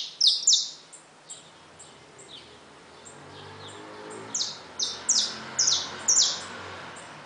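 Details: A caged saffron finch with newly hatched young: high, down-slurred notes, loud at the start, then softer faint notes before a fresh run of five or six sharp falling notes, with background hiss.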